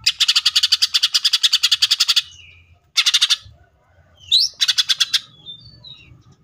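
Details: Cucak ijo (greater green leafbird) firing off a two-second rattle of rapid harsh chips, a brief pause, a shorter burst, then a rising whistle and another quick volley in the tembakan style.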